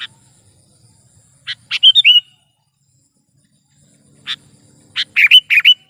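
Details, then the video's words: Sooty-headed bulbul (kutilang), a recording meant for luring bulbuls in trapping and as a tutor sound: two short sharp chips, then a quick bubbly run of whistled notes, repeated after a pause of about two seconds. "suara burung KUTILANG GACOR"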